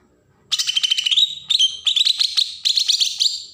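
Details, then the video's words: Bornean green leafbird from Berau, Kalimantan, singing an agitated song to provoke untrained birds: three seconds of loud, rapid, slurred high notes in short groups, bright and continuous, with no other sounds. "cucak ijo Kalimantan suara besetan pancingan burung bakalan"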